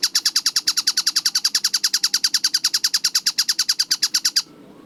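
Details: Kingfisher known locally as tengkek buto, recorded clear and fast for training other birds. Loud, rasping notes come about four per second in an even row, then stop abruptly near the end, leaving faint background hiss.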